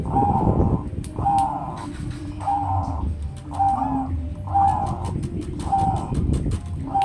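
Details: Zebra dove singing a steady series of seven short, clear mid-pitched coo notes, each roughly one second apart, with sharp clicks and a continuous low background rumble throughout.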